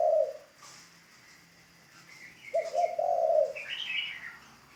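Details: A decoy spotted dove being trained gives a short coo and then a longer, husky rolling coo. A higher chirping bird calls afterward.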